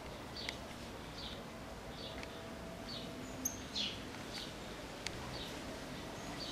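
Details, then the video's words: Cattle Tyrant singing: thin, high, squeaky chirps repeated roughly every half to one second over a steady hiss of background noise with a few sharp clicks. "Suiriri Cavaleiro Cantando"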